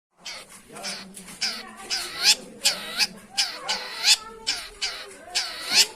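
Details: Long-tailed shrike sound used as a lure to prompt silent or lazy shrikes to sing: a run of harsh, rasping, broadband notes repeated roughly twice a second, swelling in loudness, with faint lower tones beneath.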